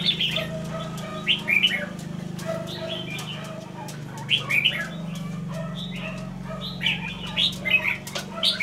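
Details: Caged red-whiskered bulbul kept as a decoy bird, from Lương Sơn. It sings short, bright, warbled phrases every second or so over a steady low electrical hum and constant clicking.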